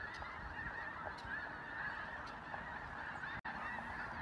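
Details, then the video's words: Snow geese in Vigo County calling as a crowd, overlapping yelping honks forming an unbroken din, with a momentary dropout shortly before the end. "Snow Geese in Vigo County"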